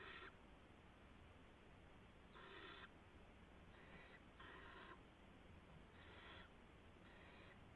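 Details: Barn owl owlets at 3:10 AM, March 16, 2016, as an adult brings a gopher. Harsh hissing screeches arrive in irregular bursts, some nearly back to back, above a continuous hum.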